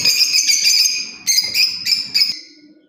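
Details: Lovebird parrot chirping: harsh, bright, sustained screechy calls in several bursts, the last fading out over a low background hum.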